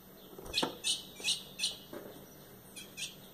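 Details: Female ultramarine grosbeak (Cyanoloxia brissonii), a breeding female, calling to stimulate the male: sharp, high chip notes, about eight in three seconds at a quick, uneven pace, over a faint background hum.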